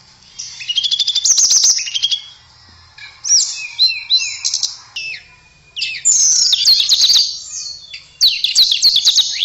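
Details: A tledekan (blue flycatcher) sings energetic high twittering phrases, rich fast trills and sweeping slurs, repeated in several loud bursts over about nine seconds.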